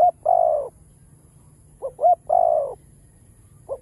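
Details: Spotted dove singing the full cooing pattern used to rouse a decoy bird: a long mellow coo, then two quick short notes and a second drawn-out, gently falling coo, then another note beginning.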